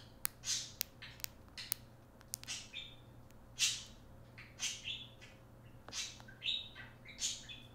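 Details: Talking pet parakeet indoors that activates Siri on an iPhone: sharp clicks followed by a string of high, rasping, speech-like chirps roughly every half second, over a quiet steady hum.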